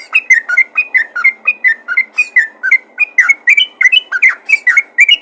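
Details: Bulbul known locally as trucukan, calling its own kind with a fast 'ropel' rattle of bright chirps: evenly spaced, slightly rising and falling notes pouring out without a break.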